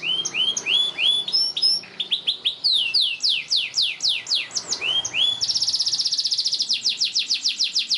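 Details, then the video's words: A canary sings long and lively as a lure and tutor for young canaries learning song: high, sweeping whistled notes that rise and fall, ending in a fast, buzzy rolling trill. "Kenari GACOR PANJANG Cuit2 EMOSI"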